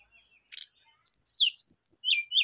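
A Rufous-chested flycatcher sings a fast run of high, thin whistles that sweep up and down, with a brief scratchy note just before.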